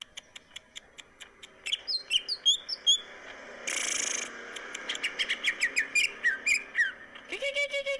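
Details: Greater green leafbird singing energetically, said to stir other birds into breeding mood; a run of evenly spaced sharp ticks, then bright whistled slurs and chirps, a half-second harsh buzzy burst, and quick rising whistles ending in a rapid rattling trill.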